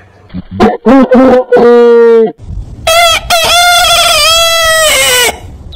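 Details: Heritage-breed rooster crowing: short choppy notes, then a steady tonal crow, then a long, high, ringing crow held for over two seconds with a falling tail.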